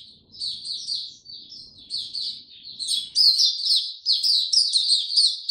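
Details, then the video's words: White-eye singing in warm, very humid weather on 26 March 2022: a rapid, continuous stream of high, sweet twittering notes that grows louder and denser halfway through, with faint low background hum early on. "Mata Puteh Hercules buka sing warm n very humid weather"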